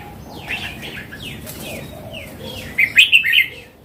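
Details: After faint sliding chirps, a mature wild Red-whiskered bulbul, red-cheeked, closes with a clear, quick phrase of four bouncing whistled notes over low background noise.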